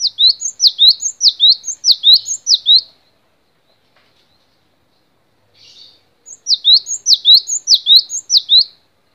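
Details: Cinereous tit (gelatik batu), a long training recording for songbirds: two bursts of rapid, ringing two-note whistles, each burst about eight phrases long, separated by a few seconds of quiet with a soft rustle.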